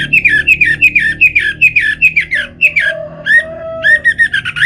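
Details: Orange-headed thrush from North Bali, Singaraja, singing to provoke other birds into song. A fast, steady run of short chirping whistled notes, roughly five per second, then longer clear whistles and a lower sustained tone.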